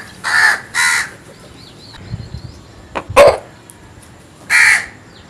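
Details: Morning crow giving harsh, nasal caws: two in quick succession at the start, a pause with small clicks and a sharp knock, then one more caw near the end.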